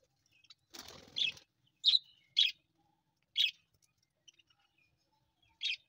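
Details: Hungry young budgerigars, captive Australian parrots, giving short raspy, scratchy calls at irregular intervals about a second apart, with a brief rustle near the start and otherwise quiet surroundings.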